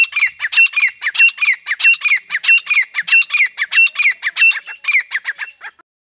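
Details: Breeding-season pair of grey francolins, male and female, calling for hunting use: a loud series of rough, squawking notes repeated steadily for nearly six seconds, then silence.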